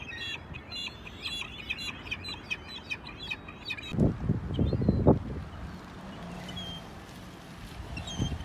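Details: Gulls at Choshi port, Japan, on 11 March: a rapid run of short, bright, harmonic cries repeated several times a second, then loud low thumps and rumbling harbour noise, with a few scattered thin calls afterwards.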